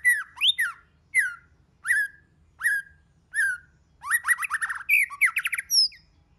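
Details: White-rumped shama song: a spaced series of loud slurred, downward-falling whistles about once a second, then a fast rattling burst of repeated notes and a final high whistle.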